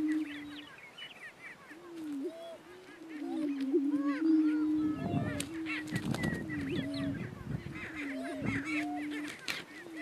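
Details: Lek in northeast Kansas where two male Greater Prairie Chickens fight for dominance; a low droning moan with short pitch dips, scattered higher whoops and cackles, and bursts of flapping or scuffling noise in the middle.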